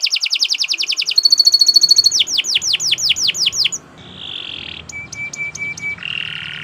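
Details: Canary delivering a long varied song for training other birds: fast trill, a bright sustained ringing tone, a series of swooping falling notes, then a buzzy rattle and soft level whistles repeated in quick succession.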